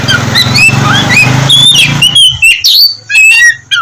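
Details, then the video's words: Oriental magpie-robin (kacer) song, used to coax lazy birds into morning singing: quick rising whistles and chirps over a loud low droning hum that stops halfway, leaving clear high notes. "KACER GACOR cocok buat pancingan kacer malas bunyi dipagi hari"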